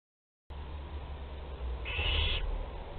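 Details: Barn owl in a nest box at Théding on 27 April 2021, with live prey moving about inside; a harsh half-second hiss rises from a steady low hum of box noise.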